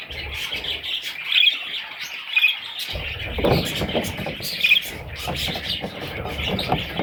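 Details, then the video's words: Young parrot chicks calling in high, scratchy chatter, with short sharper squeaks standing out every second or so and a soft low thump midway. "Parrot little babies"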